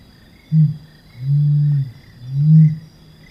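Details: Helmeted Curassow, a large terrestrial forest bird, singing in a deep, low-pitched series: a brief boom, then two drawn-out humming notes about a second apart, with a constant high-pitched insect buzz and soft chirps in the background.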